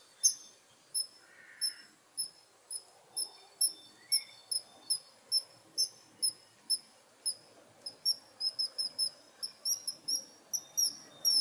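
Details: Kingfisher giving short, sharp, very high-pitched whistled notes, repeated roughly twice a second and speeding into quicker, uneven clusters toward the end, with a faint low background rumble and a brief softer lower chirp early on.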